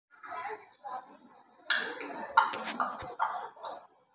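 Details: A pet African grey parrot talks in a short burst of speech-like phrases, with gravelly, word-like syllables, some clicks and a sharp squawk-like accent.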